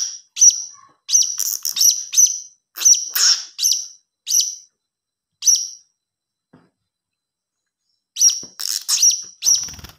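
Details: Chick of a blue-crowned hanging parrot, used as a lure call, repeating sharp, thin, high chirps in a fast run, then silence for about two seconds before a new burst of similar chirps.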